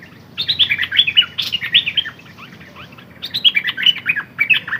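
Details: Red-whiskered bulbul kept as a decoy bird, singing two bursts of quick, bright warbled notes that rise and fall, each phrase about two seconds long with a short pause between them, against a quiet background.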